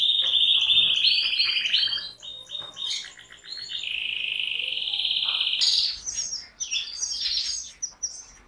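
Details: Canary song of long rolling trills and a sustained whistled tone, shifting pitch in steps, with a bright higher trill burst after a pause.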